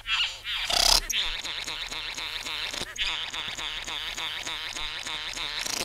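A Satin Bowerbird gives a fast run of nasal, buzzy notes, about four a second, each with a wavering, chattering edge; a brief harsh rustle comes near the start.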